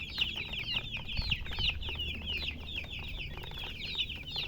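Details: Colour chickens chirping rapidly, roughly three bright, falling peeps per second overlapping from several birds, with a soft low hum behind.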